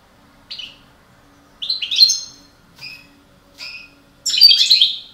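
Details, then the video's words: Parva goldfinches in a breeding pair utter short high whistles and twangy notes, building to a fuller, tumbling twitter at the end. "Couple de chardonneret parva reproduction"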